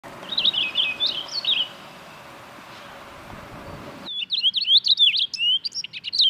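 Purple finch song: a rapid, rich, high warble of slurred notes, in two bursts separated by a quiet pause, over a faint background hiss.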